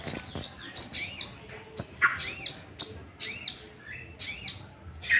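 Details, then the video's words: Sooty-headed bulbul song played to make other bulbuls sing, a busy run of arched high notes and short chirps, roughly one phrase per second. "Pancingan emosi burung sogok ontong"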